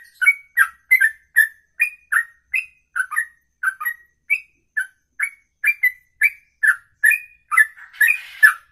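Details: Songbird's ropelan, sung in one breath for more than two minutes; a steady series of clear whistled chips roughly twice to three times a second, with a short noisy burst near the end.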